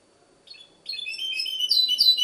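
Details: Goldfinch hybrid, Ksar el Kebir, Morocco, opening its song with a brief soft note, then building into a loud stream of rapid high chirps and trills that grows stronger toward the end.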